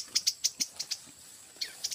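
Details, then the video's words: Nestling tailorbirds discovered in bamboo taken for a hut roof give a quick run of thin, very high chirps, about six in the first second, then a brief pause and a few more. "anakan prenjak kepala merah"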